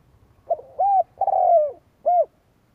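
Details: Spotted dove kept as a decoy to provoke rival doves. One mellow phrase of a short note, an arched coo, a long rough falling croon and an ending coo, over a low rumbling background.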